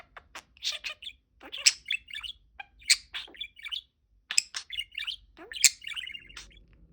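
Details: Budgie kept as a pet, chattering and chirping in bursts: high, rapid warbled phrases with sharp tweets and clicks, repeated roughly every few seconds with short pauses, indoors and otherwise quiet.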